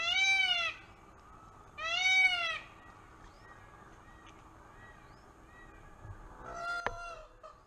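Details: Peacock at a zoo in Los Angeles, looking for a mate, gives two loud, wailing, cat-like calls with strong harmonics, each under a second long, followed by quieter background murmur and a fainter call near the end.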